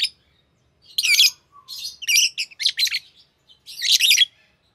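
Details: Green Fischer's lovebird pair, a kind prized in Indonesian song competitions for long songs; a dense string of harsh, chattering chirps in rapid bursts, noisy and high-pitched.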